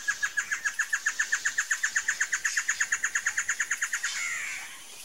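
Great Antshrike giving a long series of about twenty-five clipped, evenly paced notes, roughly six per second, ending in a brief harsh snarl.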